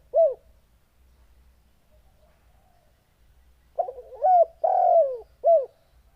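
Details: Spotted dove cooing: a single short downward coo at the start, then after a quiet gap a rolling run of soft, low coos ending in a long falling note and a final clipped coo.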